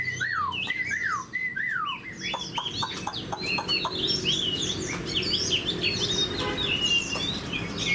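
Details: Caged Chinese hwamei, a fan-tailed bird kept for fighting that shows an eagle-wing display, sings loud varied phrases: descending whistled slurs repeated in quick series, then dense bright chirps and trills throughout, with a low background hum.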